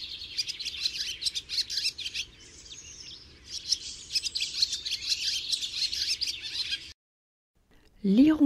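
A barn swallow sings a fast, continuous twittering warble of high chirps and scratchy notes for about seven seconds. A brief pause follows, then a man's voice.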